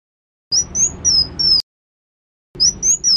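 Pygmy cupwing giving a quick run of four very high, thin slurred whistles, then a pause and the run again. No other sounds.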